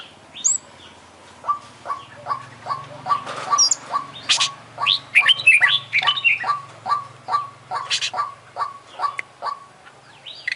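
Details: Champion kacer, the Oriental magpie-robin, in full isian song: a long series of evenly spaced short notes, each dropping at the end, interrupted midway by harsh, broad scratchy bursts and thin high whistles, with a faint low hum underneath.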